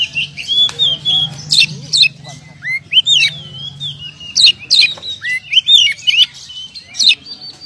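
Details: Oriental magpie-robin, a champion contest bird known for winning, delivering a varied song of whistled slurs, upward sweeps and sharp harsh chips in quick bursts, with a constant low hum beneath.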